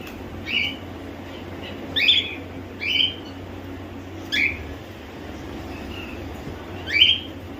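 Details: Home-bred caged cockatiels, including babies and semi-adults, repeat short, grating, sharply inflected screech calls about every second or so, six in total, against a low steady hum.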